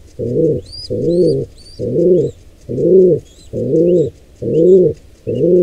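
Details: Low, buzzy pigeon coos repeated about once a second while an intruder pair attacks a wild squab at the nest; high thin whistled squeaks rise in the background.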